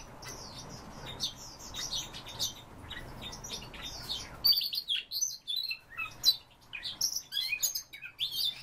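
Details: Siberian rubythroat singing a dense, fast, high-pitched medley of chirps, trills and thin whistles, the phrases growing louder and crisper in the second half.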